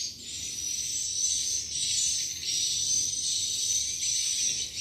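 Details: Swiftlet lure call meant to make the birds stay, roost and nest: continuous high buzzy chirring with a sustained thin whistle held throughout, gently swelling and fading in loudness.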